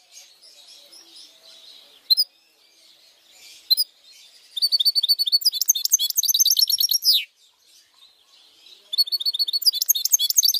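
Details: Goldfinch mule, a goldfinch hybrid, singing for use in song training; faint twittering opens, then a dense burst of rapid high chattering trills and buzzy notes, a pause, and another run of quick metallic twitters.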